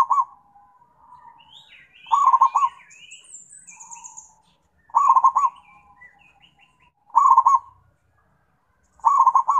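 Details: Zebra dove calling companions, giving short rolling bursts of rapid cooing notes roughly every two to three seconds, with softer trailing coos between bursts and faint high chirps from other birds.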